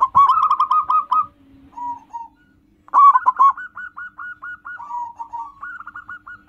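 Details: Local zebra dove song for luring and drawing in wild birds. A loud rapid cooing phrase, a brief lull with soft low notes, then a long even series of clipped, slightly rising and falling notes.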